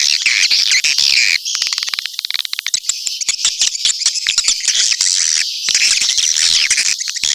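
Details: Swiftlet calling sound meant to attract the birds to a nesting house: thick high twittering at first, then a run of quick clicking chirps, before the dense chatter returns.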